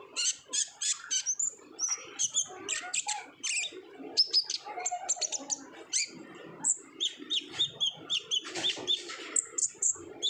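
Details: Olive-backed sunbird singing energetically in the 'ngobra' style, a lure recording meant to start young untrained sunbirds singing; a fast, unbroken stream of thin, high chirps, trills and whistled slurs, with brief notes repeating in quick bursts.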